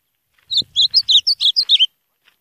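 An Ultramarine Grosbeak sings a quick, sweet phrase of about eight clear whistled notes, slurring up and down, over a bit more than one second; a faint low thump sounds at the start.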